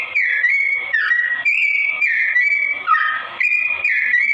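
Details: Slow-toned song of a sooty-headed bulbul, played as a training model for straw-headed bulbuls. Bubbly whistled phrases, several with a downward dip before rising again, come at about two per second with no gaps.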